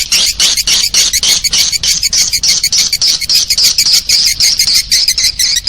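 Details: Swiftlet call used to draw swiftlets in: an unbroken, loud, high, buzzy chatter pulsing about three times a second, harsh and crowded, with a faint low hum underneath.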